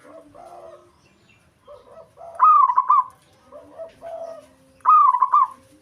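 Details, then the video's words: Local zebra dove in breeding condition, kept to provoke rivals and lure others of its kind: two loud rolling phrases of rapid arched coo notes, each about a second long, over quieter low cooing and murmuring between them. "Perkutut Lokal Ampuh Buat Emosi Lawan"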